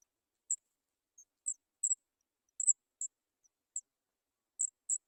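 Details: Hungry Sooty chat nestlings, three young in the nest awaiting food, repeat brief, piercing high notes roughly every half second, some doubled, about ten calls in five seconds against silence.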